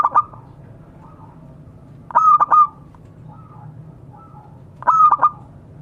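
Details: Local zebra dove calling out to others. Clipped cooing bursts of stuttered pulses and a clear ringing note come at about two and a half second intervals, with soft, lower, distant coos heard between them.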